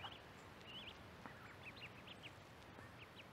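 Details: High, thin Mallard duckling peeps, short rising-falling notes given several times a second, recorded with a microphone by the corn, over a steady background hiss.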